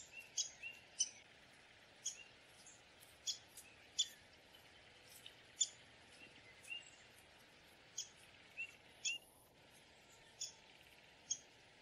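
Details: Downy woodpecker calling: sharp, short high notes dropped at irregular intervals, sometimes in quick pairs, over a steady low hum of background noise.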